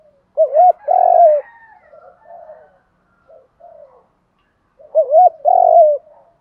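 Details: Spotted dove, male and female voices, cooing to train and provoke decoy birds. The full phrase is heard twice about four seconds apart: a quick double coo, a long loud hoot, then several softer, fading notes.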